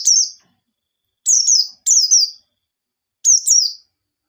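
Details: Songbird white-eye singing, used as a lure to get other white-eyes singing: four short high, sweet descending phrases of thin whistled notes, each a double downslur, spaced about a second apart over a silent background.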